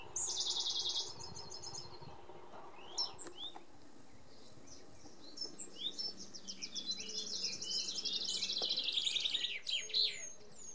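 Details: Song of an Iberian pied flycatcher in the Sierra de Piedrahita, Central Spain, 4 May 2014. A loud, dense burst of rapid high notes is followed by a second trilled series. A background chorus of chirping birds continues throughout.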